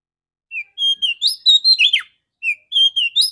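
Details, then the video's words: Clear-voiced female Oriental magpie-robin used as a morning lure for males: a lively phrase of short whistled notes, bright chirps and a steep downward slur, followed by the start of another similar phrase. "Terapi burung kacer betina suara bening pancingan pagi hari segarkan kacer jantan"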